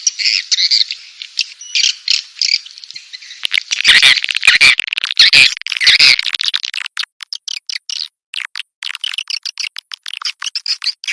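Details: Swiftlet calls from a sound compilation for Indonesian swiftlet farmers. High twittering chatter, then loud broadband clicking bursts, then sharp, scattered chirps with gaps.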